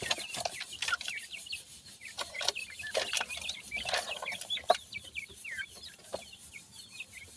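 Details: Grey francolin chicks feeding, calling with a lively run of short high peeps over frequent loud tapping and clicking, calmer and sparser in the final seconds.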